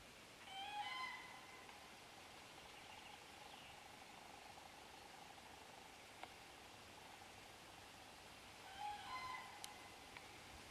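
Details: Common cranes at Borki, July 2013, give two separate short, rolling trumpet calls, one near the start and one near the end, with a faint steady tone and quiet background between them.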